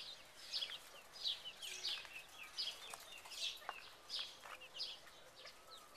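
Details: Second-generation Buff Orpington chicks in a big cage, May 2011: high, sharp peeps repeated roughly every half second over a soft background of quieter chirping.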